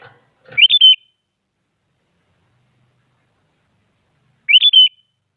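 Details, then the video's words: Sooty-headed bulbul repeating its lively whistle to stir rival bulbuls into singing: the same short three-note fluty phrase given twice, roughly four seconds apart, with faint rustling before the first. "Suara Burung Kutilang Paling Aktif Memaksa Lawan Agar Bunyi Jadikan Kutilang Ikut Gacor"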